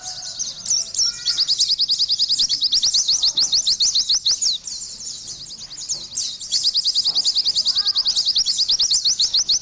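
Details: Oriental white-eye in lively, vigorous song: rapid runs of high, thin, rising chirps repeated several times a second, with a short break near the middle before the dense chattering resumes.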